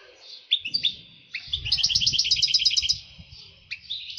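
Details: European goldfinch in breeding excitement: a few sharp separate chirps, then a quick burst of rhythmic twittering notes, with a low rumbling background noise beneath.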